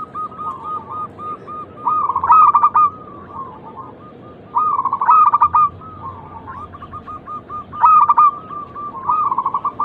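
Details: Local zebra dove song used as a lure to provoke other doves to coo. Clipped, quick-fire cooing phrases come roughly every three seconds. Each phrase trails into a softer purring roll, and a quieter caller fills the gaps.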